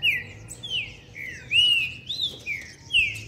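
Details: A captive Green-winged Saltator, described as aggressive and excited, sings toward a rival bird during a singing session. It delivers a long run of rich, slurred whistles, about two a second, each swooping down or up, with faint thin chirps above.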